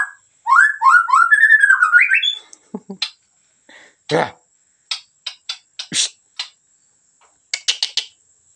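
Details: White-rumped shama from Medan in full song: a quick series of rising whistled phrases for about two seconds, followed by scattered sharp clicks and brief high chips, with a steady faint high-pitched hum behind.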